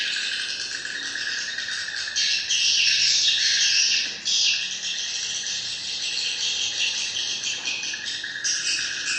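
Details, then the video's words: Massed swiftlet calls in a thick, shimmering chorus of high chirps and buzzy trills, swelling loudly for two seconds midway, then continuing more evenly with a fresh burst near the end. "Am thanh chim yên"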